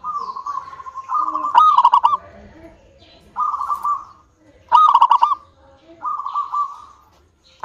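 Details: A local zebra dove's lure song for prompting other doves to sing. Drawn-out humming coos alternate twice with sharp, loud clusters of fast pulsed, bell-like notes. The phrases come every few seconds, with quieter coos between them.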